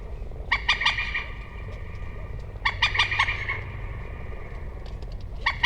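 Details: Common moorhen repeating short bursts of rapid, grating kek notes, three bouts roughly two seconds apart, against a low rumbling background.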